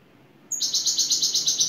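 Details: Şakşaklı-style song of a European goldfinch lead bird from Turkey: a thin high note opens a fast, evenly pulsed metallic trill that holds steady through the short burst.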